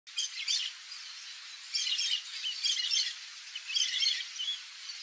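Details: A wild yellow-rumped marshbird (Pseudoleistes guirahuro) in nature gives bursts of harsh, chattering high notes, several phrases over five seconds against a steady background hiss.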